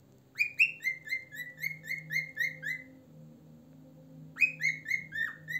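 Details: Cockatiel kept as a pet whistling rapid repeated notes, about nine falling whistles in a row, a brief pause, then another quick series, over a low electrical hum.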